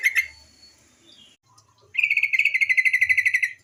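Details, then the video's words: Female yellow-vented bulbul lure call: a couple of sharp chips, a faint thin whistle, then a long, even rattle of about twenty rapid notes lasting over a second and a half. "suara TRUCUKAN BETINA sebagai pancingan burung trucuk bahan agar cepat bunyi gacor"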